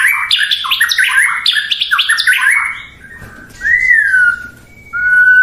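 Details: White-rumped shama giving rapid tumbling whistled notes, then after a pause a single rising-falling whistle and a short flat whistle.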